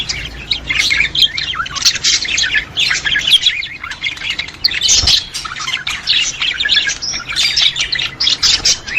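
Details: Budgerigar chorus meant to stimulate budgies: many overlapping high twittering and squawky notes in an unbroken warble, with short harsher bursts and a soft low hum.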